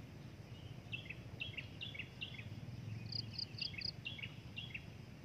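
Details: Breeding adult drongo calling in a quick series of paired chirps, each a sharp high note dropping to a lower one, then a run of four bright clipped notes, against insect hum and low noise.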